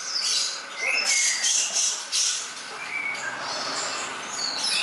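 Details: Greater green leafbird singing in a masteran recording meant to be easily copied; rapid high twitters and sharp chirps with several short whistled phrases, loud bursts in the first half easing into steadier warbling.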